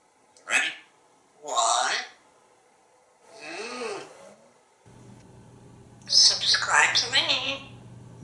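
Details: Male African Grey parrot at home in Texas, talking in a series of spoken-sounding phrases about dinner, raspberries and kisses, with a low steady hum in the room during the second half.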